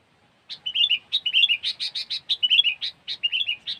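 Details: Sooty-headed bulbul singing the cengkeram style, recorded as a lure: lively chattering of sharp chirps mixed with rolling, fluty whistled phrases, repeated quickly and steadily with no other sounds.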